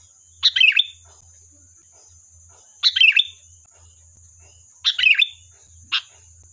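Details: Sooty-headed bulbul singing as bait to make wild birds answer: three lively chirpy phrases ending in a dropping whistle, spaced about two seconds apart, followed by a single short chirp, with a steady thin hum throughout.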